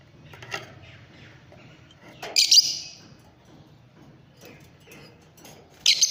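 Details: Fischer's lovebirds give loud, piercing, high chirps in two bursts about three seconds apart, with softer faint twittering and a low hum underneath.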